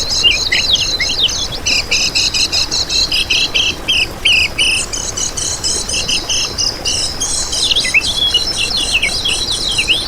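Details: Lemon-bellied white-eye (kecial kuning) lure song: continuous high, pulsed chattering with scattered dipping whistled notes running for ten seconds.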